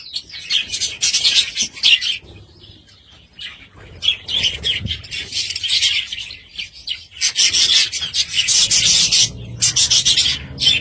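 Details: Budgerigar warbling in waves: dense, fizzing buzzy passages alternate with quieter chirps and scattered rasps, and grow busier toward the end.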